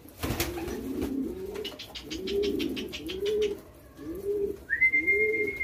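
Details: Hand-fed young homing pigeons, indoors, being accustomed to a whistle. Low rounded coos come about once a second over a quick run of dry clicks. A sharp knock sounds at the start, and a rising then level human whistle enters near the end.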